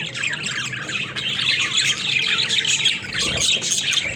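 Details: Budgerigars, or parakeets, playing in their cage: a continuous wash of twittering warbles and chirps with scattered squawks from the flock.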